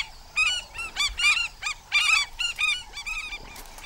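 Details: African skimmer alarm calls as parents defend days-old chicks against a monitor lizard early in the season; rapid series of loud, harsh, barking yelps with rich harmonics, about two or three per half second, nearly continuous.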